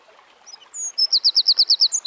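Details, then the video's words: Eurasian wren singing in nature, starting with faint thin high notes and a drawn whistle before breaking into a loud, rhythmic run of identical piercing notes repeated about nine times per second. "Birds Singing - Eurasian Wren"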